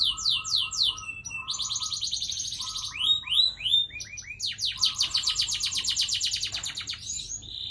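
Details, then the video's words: Canary in a long rolling song. Rapid downward-sweeping whistled notes alternate with extended buzzy trills and low steady rolls, with several notes sounding together. The phrases run continuously with no pauses. "Kenari ngerol panjang"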